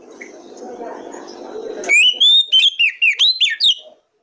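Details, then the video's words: Oriental magpie-robin (kacer) song played as a lure to get other kacer birds singing; after a low background hum, a quick burst of clear, loud whistled notes, about eight short slurred phrases in under two seconds. "Pancingan Kacer Paling AMPUH,Untuk Pancingan kacer BAHAN agar Cepat Gacor"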